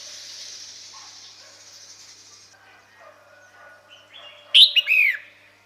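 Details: Female red-whiskered bulbul calling for males: after a few seconds of soft hiss and faint background tones, one loud call with a piercing high note and falling slurred phrases.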